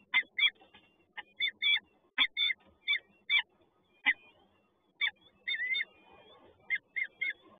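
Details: Peregrine falcon chicks at a nest at the PGE site in Toruń at feeding time: repeated squeaky, slurred begging chips in quick irregular bursts, some paired, some drawn out, with a soft background rustle.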